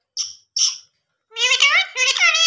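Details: Talking pet ring-necked parrot copying human words: two brief high squeaks, a pause, then two strained, buzzy speech-like phrases rich in harmonics, between a woman's spoken coaxing about food.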